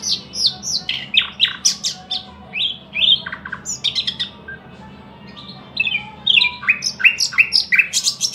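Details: Varied song from a thrush nightingale: clusters of slurred whistles and sharp clicks, a brief quiet gap, then rapid repeated high notes and quick descending whistles, over a low constant hum.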